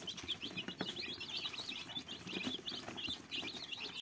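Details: Fluffy chicks keep up a dense stream of high, thin peeps against heavy background noise.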